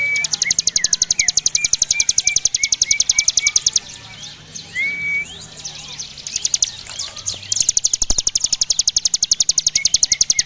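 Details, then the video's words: Javan prinia singing in the rapid 'ngebren' style: long trains of quick, dry ticking pulses. Short, clear rising and falling whistled chirps are mixed in, and a brief pause breaks the pulse train midway. "Ciblek gunung gacor ngebren atas bawah mental juara"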